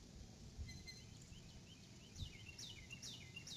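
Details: Adult female eagle arriving at the nest calling, then leaving, 6 April 2018 around 6:43 PM, live camera; faint chips build into a loud run of shrill descending piping notes, over low background rumble.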